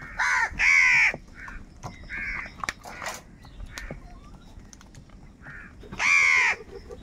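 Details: Angry crows calling over food: a pair of quick harsh caws open, softer caws follow in the distance, then one more loud grating caw near the end.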